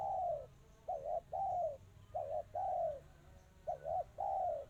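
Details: Spotted dove singing in the style known locally as crystal, tight and fast. Mellow coos come in repeated phrases: a quick double note followed by a longer, slightly falling coo, cycling about every one and a half seconds over faint background hiss.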